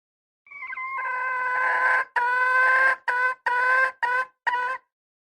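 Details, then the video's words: Calling red junglefowl hen opens with a long, rising-then-level harsh note, then breaks into five brief, emphatic notes with short gaps, ending abruptly; nothing else audible. "Poj qaib seev zoo heev li _ສຽງໄກ່ປ່າ . ไก่ป่า"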